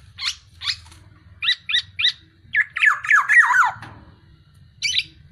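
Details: Masteran song of a black-naped oriole (kepodang): scattered rasping chips, then a tumbling cascade of descending slurred whistles, and a final harsh note.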